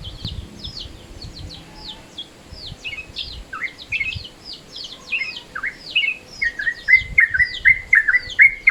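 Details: Yellow-vented Bulbul calling in midday mode, used as a lure: soft, scattered high chirps at first, then a louder, faster run of bright slurred notes near the end, with low background rumble.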